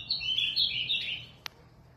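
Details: Caged Ultramarine Grosbeak (azulão) from São Paulo, Brazil, singing a quick warbled phrase of high sweet notes in the first second and a half, followed by a single sharp click and quiet background.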